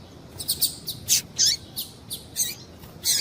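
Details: Female double-collared seedeater call used to stir up males: rapid run of thin, high chirps, some sliding downward, about eight notes in three seconds, with no other sounds.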